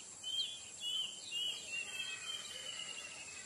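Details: Lemon-bellied white-eye song used as a lure to make birds sing: a series of thin, high whistled notes repeated about twice a second, with steady high insect-like hiss in the background.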